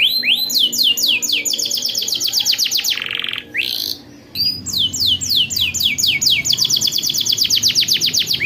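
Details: Rolling canary song used as a tutor for young canaries: rapid repeated downswept notes, about four per second, broken by a harsh buzzy burst and a short gap, then the fast trill resumes.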